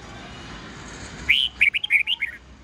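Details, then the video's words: Red-whiskered bulbul song in the mature wild-forest voice style, used for training young birds to sing: after a stretch of background hiss, a short phrase of five or six quick, clear whistled notes wavering up and down. "Luyện chào mào hót sáng GIỌNG GIÀ RỪNG âm 8-9-10 cực chuẩn/Ép chào mào non,má trắng học giọng nhanh"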